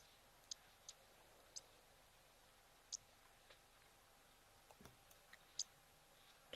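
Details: Oxpeckers calling at an African waterhole on a hot 14 January 2025 give short, sharp, hissy high chips, spaced irregularly about a second or more apart, over a faint steady background hum.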